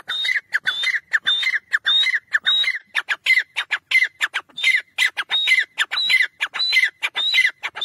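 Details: Teetar francolin giving a loud, continuous run of harsh grating notes mixed with short rising whistles, about one and a half notes per second, in a steady rhythmic pattern.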